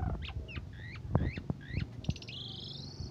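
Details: Asian pied starling singing, morning and evening, as a model for training other songbirds: a quick series of varied whistled slurs and clicks, ending in a long buzzy rising note, over low rumbling background noise.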